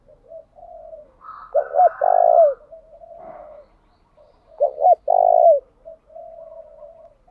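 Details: A decoy spotted dove repeating its song continuously so that wild birds will answer. Two low phrases of quick double notes and a long hoarse coo, separated by softer mumbled cooing, with a faint higher rustle in the background.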